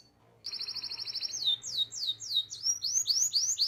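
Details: Canary singing as a training model for young birds: an even, fast trill of clipped notes, then loud down-slurred whistles repeated several times a second, turning to rising swoops.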